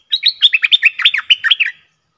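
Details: Caged decoy bulbul used to lure a rival bird into fighting, 31 December 2021: a loud, lively phrase of about twelve quick, bubbly, warbled notes, each briefly rising and falling, delivered in under two seconds with no other sounds.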